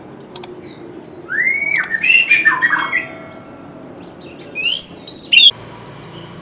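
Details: An old wild oriental magpie-robin sings loudly on a street corner, with rising and falling whistled slurs, a few sharp clicks, then a loud burst of quick high notes and a soft downslur, over a thin steady tone.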